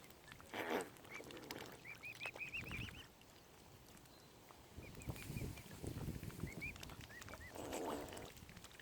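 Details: Tiny furry baby mute swan cygnets at Lough Neagh, Oxford Island Nature Reserve, Ireland: runs of thin, high, arched peeps in quick series, pausing then resuming, over low outdoor rumble and a few harsher bursts.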